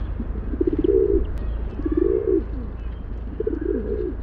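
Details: Three drawn-out, warbling coos from a rock pigeon, each a low bubbling phrase about half a second long, set against a continuous deep background hum.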